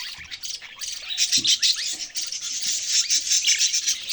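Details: Budgerigar chatter, loud and continuous: busy, rasping high twitters and squeaky notes run together, building denser toward the end.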